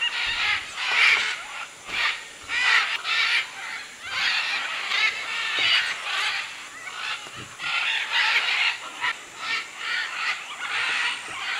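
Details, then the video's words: Crowd of wild macaws and other birds at a clay lick in the Manu rainforest of Peru, 2008: a dense, continuous wall of harsh grating squawks in overlapping bursts, surging and fading every second or two without pause. "Macaw clay lick"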